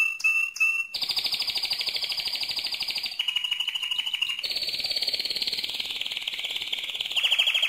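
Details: Loud mosaic canary song made of short whistled notes followed by successive rapid trills, each tour at a different steady pitch, the last ones louder and more pulsed.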